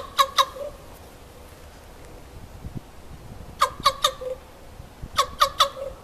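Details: Common raven at Raven Bay Beach Wildlife Sanctuary, Green Bay, Wisconsin, recorded 7 November 2015, giving strange calls: three bursts of two or three short, harsh, knocking notes spaced a few seconds apart, over faint background hiss.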